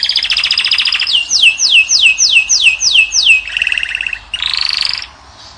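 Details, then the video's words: Moroccan European goldfinch, kept in a cage, singing to attract a female: a steady high trill, then a run of seven swooping descending whistles, lower buzzy notes, and a final rising twittering trill before fading to quiet. "أجمل صوت طائر الحسون والكناري تخلي الأنثى تكسر عليه القفص"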